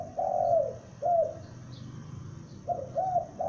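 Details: Young spotted dove used as a lure bird, calling loudly: low, hollow coos in two phrases, each a long note then a shorter slurred one, separated by a pause of about a second and a half; quiet background.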